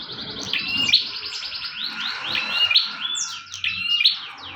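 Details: Bar-winged prinia in lively full song, meant as a master recording for training cage birds: rapid runs of sharp, high chirped notes, repeated in quick phrases about every second, with a faint steady hum underneath.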